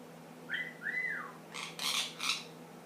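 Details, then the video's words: Pet ring-necked parakeet, ten months old, making funny noises indoors: two smooth whistled glides, the second rising and then falling, followed by three harsh, rasping squawks in quick succession. "My funny noise ringneck"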